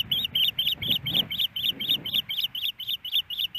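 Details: Shrill, evenly spaced whistled chirps from a female osprey at her Hellgate Canyon nest in Montana, waiting for a fish from her mate after a snowy April morning, over a steady low background rumble.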